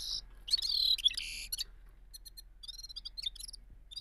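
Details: Gulsar or balkashal bulbul giving a loud burst of buzzy, high warbling, then quieter scattered chips and short whistled trills, part of its rolling singing.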